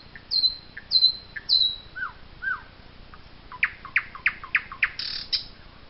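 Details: Eurasian jay in the Wittlich valley, 2018: three thin, high, falling whistles, two lower slurred notes, then a quick run of about seven harsh, scratchy notes; nothing else heard.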